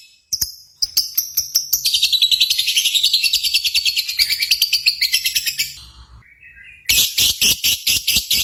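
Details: Lovebird from a simulated contest recording: a few sharp chirps lead into a fast, shrill, continuous trill lasting several seconds, then brief fainter notes and a new burst of loud rapid high chirps.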